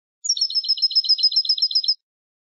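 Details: European goldfinch, wild 'campero' strain, recorded to teach captive birds: a single quick high-pitched trill of about fourteen ringing, repeated twitter notes lasting under two seconds, no other sounds.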